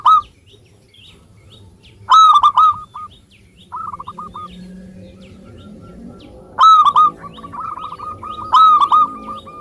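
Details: Frequently singing local zebra dove recorded in Indonesia as a lure for reluctant singers; loud clipped cooing bursts recur every two seconds or so, alternating with quieter trilled coo series, with faint high chirps from another bird.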